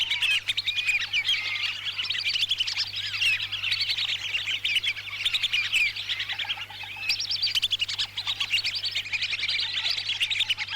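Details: Calling flock of lesser whistling ducks from Lampung, Indonesia, played as a trapping lure: unbroken high-pitched whistling and twittering from many birds at once, fairly even in loudness, over a low electrical hum.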